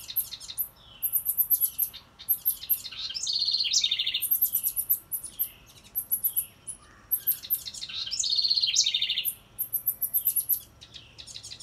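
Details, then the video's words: Wren singing near a birdhouse, seemingly approving the house: loud, high, bubbly song phrases of rapid trills and buzzy notes, repeated about every three seconds with short pauses between bursts. "Listen close & you can hear the wren say she likes this house"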